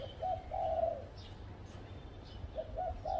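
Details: Spotted dove perched on a tree at home, repeating a soft low coo phrase, a short note then a long even coo, followed later by stuttered coos, with faint distant chirping birds.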